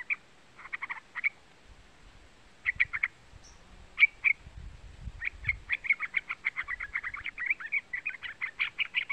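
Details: Young yellow-vented bulbul (trucukan) calling, used as a lure to excite other birds into singing; short bursts of sharp, chattering notes, sparse at first and then a fast run of repeated chips, with low rumbling noise underneath.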